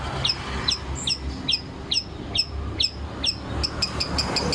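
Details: Long-tailed shrike at a bird-singing training contest in Indonesia, delivering a rapid-fire ngekek-style series: sharp, high, downslurred notes repeated about twice a second, speeding up at the end, over steady low background noise.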